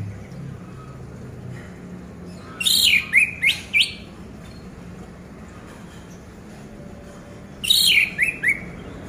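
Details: Orange-headed thrush song intended to make a silent caged bird sing again: two loud bursts of sweeping, descending whistled notes about five seconds apart, separated by quiet low background noise.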